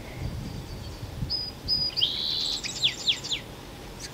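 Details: Song Sparrow, a common bird, sings in a Vancouver, British Columbia forest in spring: a couple of clear introductory notes, then a bright buzzy trill and a quick run of sweet slurred notes, over light background noise.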